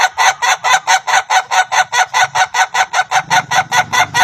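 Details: Rare Indonesian Ayam Ketawa (laughing chicken) crowing in a laughter-like way: loud, harsh, evenly spaced pulses, about four per second, repeated steadily for over four seconds with a rolling, cackling rhythm.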